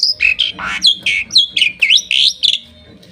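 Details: Bali myna perched on its owner's hand in Bali, singing a rapid series of sharp whistled and squeaky notes, many sweeping downward then up, about a dozen bursts before a brief quiet at the end.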